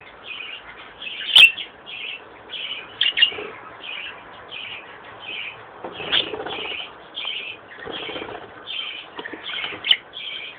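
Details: Pet budgerigars kept with cockatiels chatter in quick, scratchy chirps repeated steadily, with occasional wing flutters.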